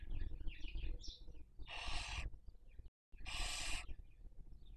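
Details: Nest webcam in Cabañeros National Park, Spain, during the 2023 breeding season: a Barn owl (Tyto alba) family raising young gives two rasping, breathy screeches, preceded by soft twittering notes.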